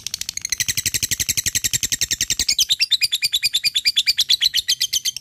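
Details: Chatty fighter lovebird performing 'ngekek' to call a rival: an unbroken stream of rapid, shrill, metallic chirps that grows more piercing and slightly lower partway through and keeps a steady, fast rhythm.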